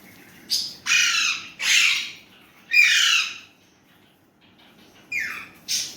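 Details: Pet Indian ringneck parrot uttering Urdu/Hindi words: four rough, harmonic bursts, a quiet pause, then two short, higher calls.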